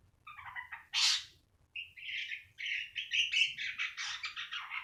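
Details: Black-winged starling singing: a short stuttered phrase, one loud harsh squawk, then a long series of rhythmic chattering, scratchy notes in quick succession.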